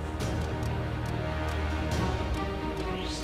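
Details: Loud continuous music with a steady beat and sustained tones plays throughout, and no animal call stands out.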